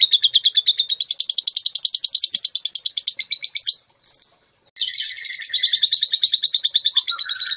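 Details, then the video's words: Lovebird, a young bird whose song is used to stimulate other lovebirds to sing; a long rapid chattering trill of buzzy high notes, briefly broken around four seconds, then resuming dense and continuous. "pancingan lovebird balibu konslet|merangsang balibu gacor|masteran love bird"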